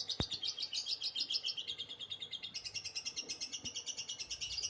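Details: Lovebird delivering a drawn-out liyer konslet song, an even, rapid series of high chirps about two to three per second, with a sharp click near the start and a light background hiss.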